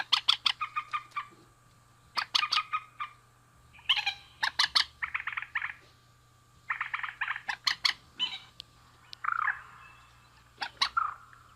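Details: Male and female rails calling: bursts of harsh, rapidly repeated clucking notes, several short phrases separated by brief pauses, with a few grating squawks near the end, over a faint steady hum.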